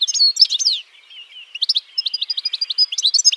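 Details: A European goldfinch sings: a quick run of high slurred notes, a brief soft buzzy drawl, then a steady series of crisp, evenly spaced chirps and twitters.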